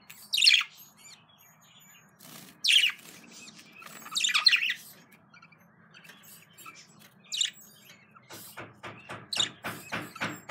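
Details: A breeding pair of pet budgerigars: three harsh, scratchy chirps about two seconds apart, then a quick burst of sharp chattering notes, over a faint low hum.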